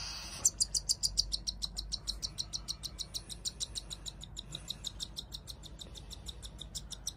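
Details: Cockatiel chicks, two siblings of very different size, being hand-fed by a keeper, beg with rapid rhythmic high peeping, about three notes a second, steady pulses continuing throughout.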